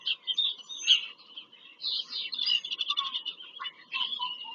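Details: Bald eagles on a Pennsylvania farmland nest, live nest-cam recording from 5 February 2023 during a nest visit. A sharp high note is followed by long bursts of rapid, squeaky chattering with brief gaps between them.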